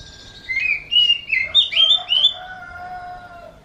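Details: Oriental magpie-robin with a kitten-like voice giving a short burst of sliding, whistled mewing notes, five rapid phrases rising and dipping, then a thin fading tone.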